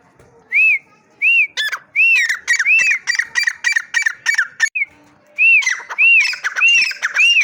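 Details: Partridge giving repeated shrill, arched whistles, each rising and falling, mixed with rapid harsh clicking pulses in a steady run, with a brief gap partway through before the whistles resume.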